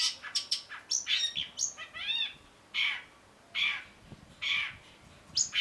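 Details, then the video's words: Long-tailed shrike song, a caged bird kept for song training: bursts of harsh buzzy notes alternate with higher chirps and a rising-falling whistled arc, phrases spaced irregularly about a second apart. "cendet gacor MASTERAN CENDET BAHAN AGAR TIDAK MACET SUARA || Long-tailed Shrike"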